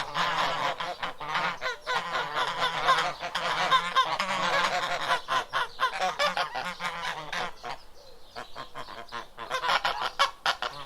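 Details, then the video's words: Several geese honk loudly and continuously, with harsh, nasal calls overlapping in a noisy chorus and a brief lull near the end. "Geese Sound Effects"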